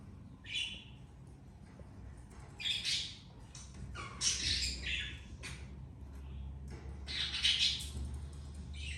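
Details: Pet budgerigar parents with their two babies; scattered harsh squawks and chirps in broad bursts, some with bright high peaks, separated by short quiet gaps over a low room hum.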